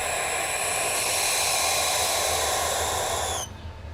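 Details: Barn owl giving a long, harsh, hissing screech that holds steady for over three seconds before cutting off abruptly, leaving faint background noise.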